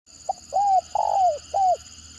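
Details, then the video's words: Spotted dove giving the stuttering 'gagap' call style: a brief clipped note, then three mellow hooting coos, the middle one longest and sliding downward at its end, over a faint steady hum. "Mendengar Suara Tekukur Gagap Ini Burung Lain Pasti Responnya Gacor"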